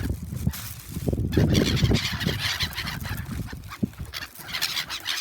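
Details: Flocking gulls being fed at a park by Shin-Okayama Port, Japan, on 3 February 2021. They give raucous, overlapping calls, loudest in a cluster near the start, over a low rumble.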